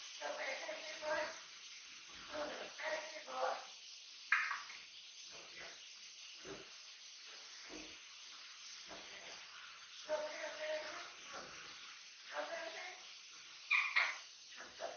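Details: Three-year-old pet Amazon parrot chattering indoors, a string of short speech-like gibbering bursts with a few brighter squeaks, irregularly spaced over fifteen seconds in a quiet room.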